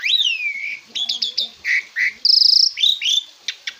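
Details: Asian pied starling, a recording for training cage birds, with loud, varied whistles: a long descending slur, quick clipped notes, a rapid buzzy trill and rising whistles, with faint low chatter beneath.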